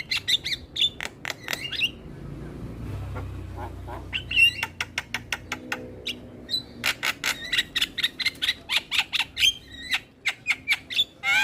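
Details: Starling sounds played to lure other starlings and make reluctant birds sing: long stretches of sharp, clicking whistled notes in rapid irregular bursts, some twangy upslurred phrases, with a low murmur underneath.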